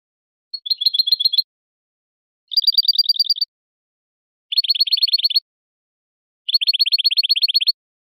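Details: European goldfinch basic song of the campanilleo, or bell-like, style: four phrases of rapid, ringing high notes, each about a second long and repeated every two seconds, against clean silence.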